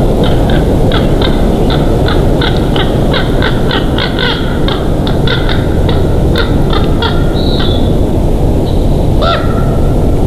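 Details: Bald eagles at their nest at Big Bear on 27 June 2023, mid-afternoon: a rapid run of short, sharp, high piping notes spaced about a quarter second apart, ending in a drawn-out thin whistle and a last chirp, over steady broadband rushing noise.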